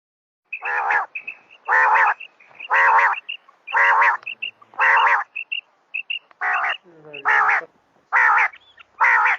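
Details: Female common quail sounds, given as a call for night. Harsh, nasal, buzzy bursts repeat about once a second against silence, each trailed by small high piping notes.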